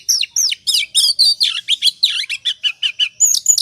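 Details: Oriental magpie-robin in ngobra song, played as a lure to provoke singing: steady, rapid series of descending slurred whistles and buzzy notes, roughly four per second, clear and loud.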